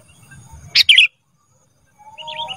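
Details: Black-crested bulbul, a recording used to train cage birds: one short, bright chattering phrase of quick whistled notes, with a quieter warbled phrase near the end against faint low rumble.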